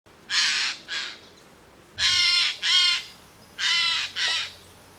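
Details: Eurasian Jay (Garrulus glandarius) in Portugal gives harsh, rasping screeches, six in three quick pairs about a second and a half apart, over a quiet background.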